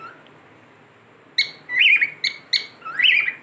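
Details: Pet cockatiel whistling indoors: after a quiet start, a run of short, clear whistled notes with brief rising and falling sweeps, about six bursts packed into two seconds.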